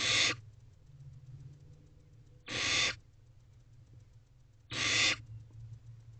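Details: Young barn owls in a nest box at dawn, mid-May 2023, swaying side by side; three harsh, breathy hisses about two and a half seconds apart over a faint low background drone.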